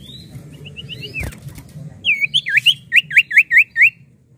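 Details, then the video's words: Lively Common Iora song: soft rising whistles give way to about eight loud, evenly spaced looping whistled notes, each a quick dip and rise, over faint background hum. "SIULAN M4UT CIPOH GACOR!!!"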